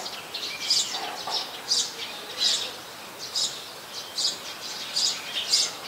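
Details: High, thin, clipped chirps from an olive-backed sunbird in the Sirinart Rajini mangrove forest, repeated about every half second to second in a loose, uneven series against soft background noise.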